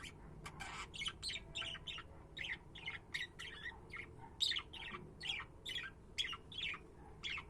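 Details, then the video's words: Budgerigars chattering steadily in a long, even stream of short, scratchy chirps and warbles, about two per second, over a low background hum. "Cuty budgies"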